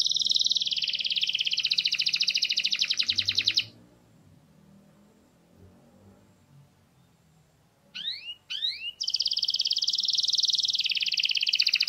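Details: Canary singing long, dense, high rattling trills, broken by a pause of several seconds and two quick sweeping notes before the rolling song resumes.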